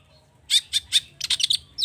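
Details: Long-tailed shrike lure song, agitated and packed with rich fill-in: three sharp, evenly spaced high notes followed by a quick cluster of rasping, chattering syllables.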